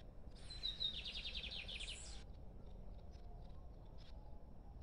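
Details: Song of a free-living lined seedeater: a sharp whistled opening, then a rapid run of repeated, slightly falling buzzy notes lasting nearly two seconds. After it, only faint clicks and a low background rumble.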